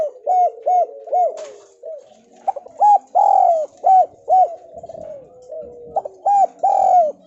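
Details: Spotted dove lure recording, made to prompt quiet doves to start calling: bursts of short, hollow, mid-pitched coos in quick runs, several voices overlapping, with faint soft chirps between phrases.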